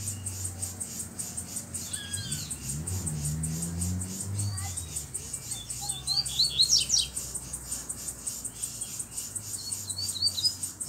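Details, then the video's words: Free-living double-collared seedeater, black with a bluish-white bill, singing firmly in the open: scattered high chirps, then a dense rapid run of sharp twittering notes, with a man talking early on and a constant pulsing insect drone. "Coleiro Preto do Bico Branco Azulado Solto Batendo Firme!!!"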